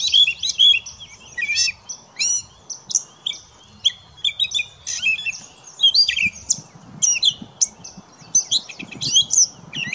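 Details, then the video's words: Gray catbird singing at St George Marsh, Charlotte County, New Brunswick, on 20 May 2016: a long, varied jumble of squeaky, mewing and chattering phrases, each short and different, delivered in a rapid, almost continuous stream. "Gray Catbird Song"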